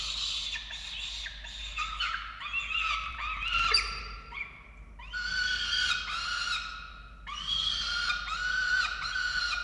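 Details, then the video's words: Falcons at a nest camera in Orange, Australia, during a chick feeding on 13 November 2022; three birds present. Harsh, wailing and chittering calls in overlapping bursts with short pauses, some notes bending upward and downward. "Sokoły -Diamond & Xavier & Rubus 🐥🌹🍀 - Karmienie 13/11/2022"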